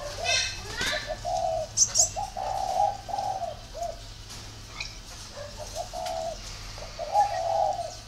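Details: Spotted dove cooing in low, rounded notes grouped in twos and threes, accompanied by sharp clicks and a few high squeaky chirps.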